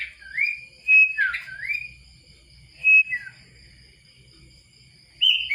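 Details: Sooty-headed bulbul whistling separate rising and falling slurred phrases spaced by pauses of one to two seconds, with a loud short whistle at the end; a steady thin high tone continues throughout.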